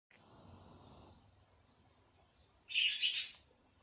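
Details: Robin in a backyard on a June 2024 evening, calling: after a faint thin whistle, a single harsh, buzzy chirp burst near the end. Quiet background.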